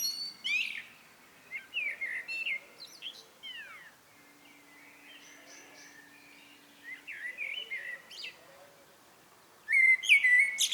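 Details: Common blackbird in evening song: several separate phrases of fluted whistles mixed with sharp, high chittering notes, with pauses between them, a faint steady hum, and a loud final phrase.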